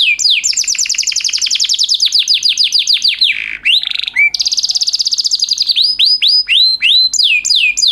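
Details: Canary master song in the luxurious, unique cengkok style, used to teach other canaries: long rapid trill of falling whistles, a brief low churr, another fast trill, then slower looping whistled slurs.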